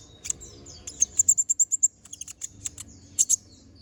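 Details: Brown-throated sunbird giving sharp, chattering master song for training other birds: a fast run of about eight evenly spaced high chips, then scattered piercing notes and a double chip.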